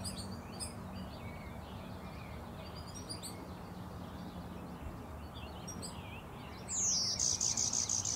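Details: Suspected hybrid warbler, a male with possible golden-winged blood, whose odd call resembles a chickadee's. Late in the recording comes a sharp downslurred note and then a quick string of thin, high, buzzy repeated notes over soft background birdsong.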